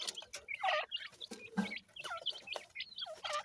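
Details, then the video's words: Francolin (teetar) chicks calling: thin, high peeping chirps in quick, uneven bursts, several overlapping, with some faint lower clucking beneath. "Teetar Chicks Khurak, Baby Pheasant Calling Guide"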